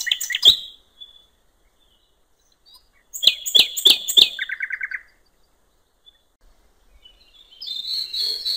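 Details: Nightingale singing at a river's edge in the wild: loud whip-like notes, silence, a series of strong clicks, then five quick repeated notes, a long pause, and a harsh rising phrase at the end.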